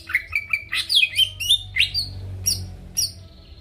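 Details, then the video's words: Greater green leafbird singing to spur rivals into song: a quick sequence of clear whistled notes and slurs, fading into a few scattered high notes. "PANCINGAN CUCAK IJO GACOR BUKA PARUH BIKIN LAWAN CEPAT ON LANGSUNG EMOSI DENGAR SUARA INI"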